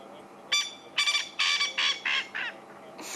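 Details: Male Coqui francolin calling once more at sunset: a run of six harsh, buzzy notes, roughly three per second, ending with the start of another rough note.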